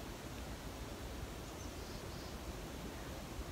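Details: Even rushing noise resembling wind or flowing water throughout, with no animal voice.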